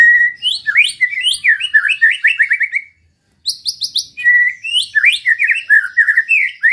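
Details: Used to provoke rival birds, this white-rumped shama song runs in two rapid bursts of varied whistles, sliding notes and high chips, separated by a brief silence.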